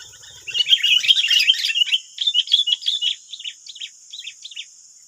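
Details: Wild sooty-headed bulbuls answering a decoy bird, nine against one, in West Lampung, Indonesia. A burst of harsh, jumbled chattering notes settles into a series of separate sharp chirps that grow quieter and more spaced out.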